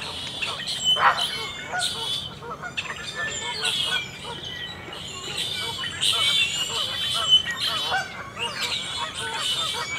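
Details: A Common Gallinule x American Coot hybrid, seen allopreening, gives harsh, nasal, honking clucks in uneven bursts, overlapping with similar calls against a steady background hiss.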